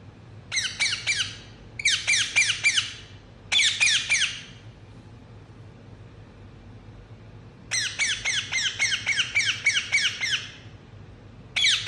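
Rose-ringed parakeet giving harsh, high, rasping chirps in rapid bursts of four to eight notes, separated by short pauses, over a faint low indoor hum.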